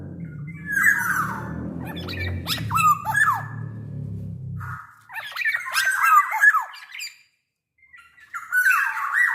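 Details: A black-naped oriole singing steadily, kept as a lure for other orioles: warbled whistles and harsh notes over a loud low droning hum for the first five seconds, then clearer fluting and rasping phrases after a brief gap.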